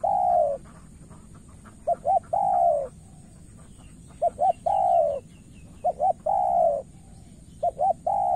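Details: Spotted dove, Cà Mau, Vietnam, recorded as a decoy bird tries to win over a wary rival. Four or more repeated phrases follow at intervals of about two seconds, each a double short hoot then a long, bending coo.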